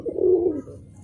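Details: A pet Giribaz pigeon, a breed said to fly for three to four hours, gives a single low, soft, throaty coo that swells and then fades.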